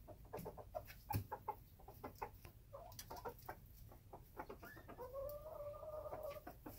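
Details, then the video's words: Young rooster recorded in February 2021 gives a series of short clucks, then a drawn-out, steady, harmonic crow lasting over a second near the end, with faint background rustling. "Young rooster"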